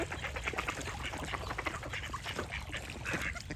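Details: Ducks quacking in a dense chorus, short harsh nasal quacks overlapping rapidly with no pause, a steady low background rumble underneath.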